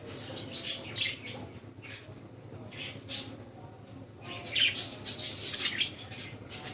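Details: Budgerigars kept as pets in Lahore city, Pakistan, chattering with rapid high squawks and scratchy chirps, sparse at first then building into a dense run of overlapping calls, over a low constant hum.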